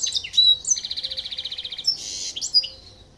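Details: Silver goldfinch x canary mule from a 2023 Greek show singing: sharp high whistles, then a fast even trill of repeated notes for about a second, followed by a buzzy burst and more clear piping notes; faint low hum beneath.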